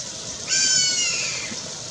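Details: Black caracara calling at Pousada Jardim da Amazônia, São José do Rio Claro, Mato Grosso, Brazil, in May 2021: one harsh, drawn-out screaming note with strong harmonics, about a second long, over faint background hiss.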